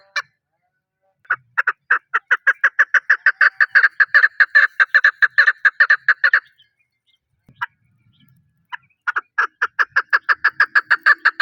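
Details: Chukar partridge giving rapid repeated chuk notes in a long run that builds and then stops, a short pause with a few scattered notes, then the clucking series resumes.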